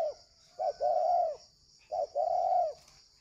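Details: Spotted dove used as a decoy for luring, giving a low hollow two-part coo, a short note then a long drawn note, twice in three seconds over a faint steady high tone.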